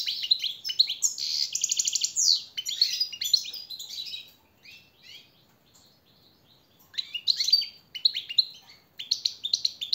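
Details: Training song of a European goldfinch for captive birds: long run of rapid tinkling twitters and a fast rattling trill, a quieter pause, then renewed bursts of high chirps.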